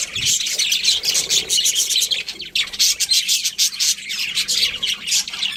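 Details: Budgies giving continuous high-pitched chirping, many short tweets run together into a lively, rattling chatter that barely pauses.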